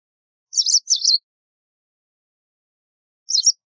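White wagtail: two quick bursts of high, scratchy twittering chirps, then a single brief chirp about two seconds later, against a quiet background.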